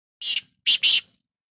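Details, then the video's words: Black francolin, called Sindhi kala tetar, giving a short call of three harsh, noisy, high-pitched bursts: one brief note, a pause, then two quick joined notes, on a quiet background. "Sindhi Kala Tetar Awaz"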